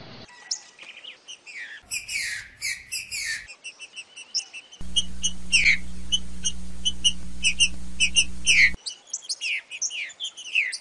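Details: Captive green-winged saltator song, played to get another caged bird singing: loud whistled and chirped phrases, rapid repeated high notes and rising and falling slurs, with a steady low hum in the middle section.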